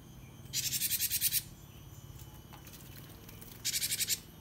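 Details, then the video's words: Caged cinereous tit (gelatik wingko or gelatik batu) used for training cage birds to answer and sing. Two bursts of harsh, rapidly repeated buzzy notes, about eight per burst, with a quiet gap between and faint low hum. "gelatik wingko pancingan & masteran"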